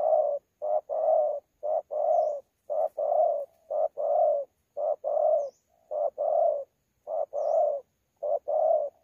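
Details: A spotted dove newly taken from the wild, in 'thổ pha' style, coos competitively at Sa Thầy on 26 November 2019. Steady low hollow phrases repeat regularly, each a short note paired with a longer falling coo, about nine pairs.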